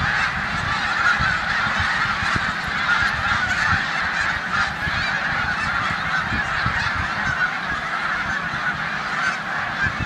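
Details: A large snow goose flock in a corn field in Savannah, New York, 14 March 2020, mixing with resident Canada geese before migrating to the tundra; constant overlapping yelping honks with low thumping wind or handling noise.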